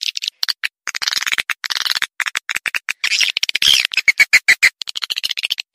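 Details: Swiftlets heard in a lure call: rapid dry clicks and short sharp chirps in a fast irregular chatter, with a few thin high notes near the end.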